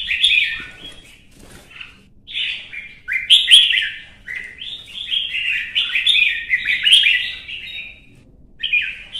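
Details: Red-whiskered bulbul in fired-up competitive fighting song: bursts of bright, warbled, slurred phrases, several notes run together, repeated with short pauses across the stretch; quiet background.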